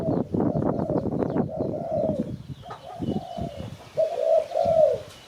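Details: Spotted dove whose call is used to lure birds for catching, with low soft coos partly buried under heavy rustling and handling noise, ending in two clearer hollow coos.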